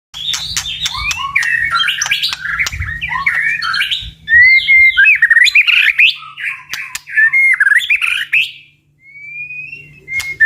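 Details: White-rumped shama singing in the strong 'tạch' style used to provoke birds to fight: rapid varied whistled phrases, rising and falling, mixed with sharp dry clicks, dense for about eight seconds, then a pause and a few clear whistles.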